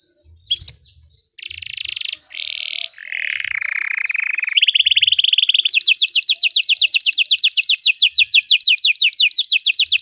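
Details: Singing Belgian canary, played to teach other canaries: varied phrases open with short chirps and buzzy rolls, then shift to a long run of quick, evenly repeated descending notes.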